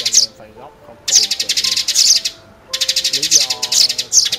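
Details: Sparrows in a trapping lure recording made for net and glue traps, giving bursts of rapid, high, dry chirps in fast trains separated by short pauses, over steady low musical tones.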